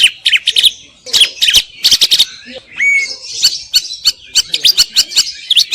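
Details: Greater green leafbird in a stream of sharp, scratchy high chirps and trills, with a soft buzzy passage and one clean upslurred whistle midway.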